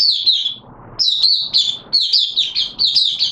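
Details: Oriental white-eye singing in wet weather: high, slurred descending notes, a short pause, then a rapid string of bright twittered phrases.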